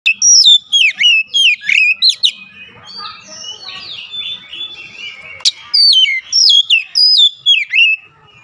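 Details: Oriental magpie-robin singing a loud, rich song of repeated whistled phrases, each sliding down with sharp upper flicks, delivered in rapid bursts with a quieter warbling stretch in the middle.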